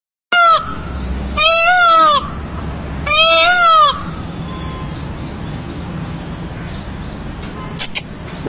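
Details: Indian peafowl giving two loud, drawn-out wailing calls, each strongly nasal and lasting under a second, about a second and a half apart, over a steady background hum.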